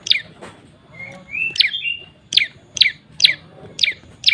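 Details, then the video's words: Moss prinia giving sharp, high, downslurred chip notes, repeated about every half second, with one brief rising whistled phrase near the start; used as a lure call to draw in prenjak birds. "PRENJAK LUMUT NEMBAK NGAMUK NGEBREM || THE SOUND OF BIRD OF MOSS"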